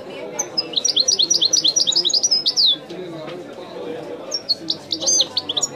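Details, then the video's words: Authentic widani song from a European goldfinch: a long, rapid cascade of sharp, high twittering notes ending in a falling whistle, a pause of low murmur, then a second shorter burst of chirps. "chant de chardonneret تغريد الويداني الأصيل"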